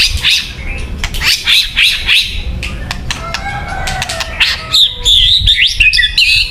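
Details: White-rumped shama song used for luring birds: bright whistled phrases near the top of the range, with sliding notes toward the end and sharp clicks scattered throughout.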